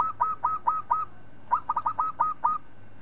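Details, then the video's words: Local zebra dove song for tutoring other birds: four evenly spaced, hollow cooing notes, a brief pause, then a faster run of about seven rolling coos, with a low background hum. "Suara Perkutut Lokal Palng Zos Untuk Masteran"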